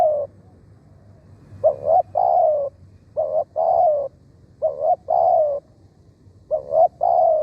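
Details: Decoy spotted dove calling to draw in wild birds, with rapid cooing phrases roughly every one and a half seconds, each two short clipped coos followed by a longer slightly falling purr, with faint low rumble behind.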